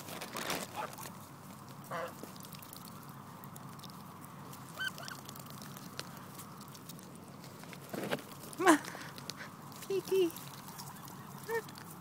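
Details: Canada goose described as hungry, calling with scattered nasal honks every two to three seconds, some doubled. One loud honk near the middle rises then falls. A faint noisy background runs throughout.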